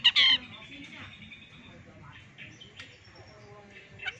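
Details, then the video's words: Six-month-old long-tailed shrike mimicking chicken chicks: a loud, harsh opening burst, then a string of thin, high peeping notes. "Suara Burung CENDET istimewa suara anak ayam asli"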